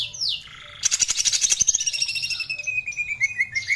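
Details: Lure song of a greater green leafbird, meant to make young birds sing: a falling whistle, a dense burst of rapid buzzy pulses, then a high thin trill easing down into evenly spaced short chips.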